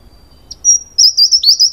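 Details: Single phrase from a Taiwan wren-babbler, endemic to the understory of Taiwan's mid- and high-elevation natural forests: a faint high whistle leads into a shrill, steady note, then a fast run of wavering, tinkling notes, with no other sounds.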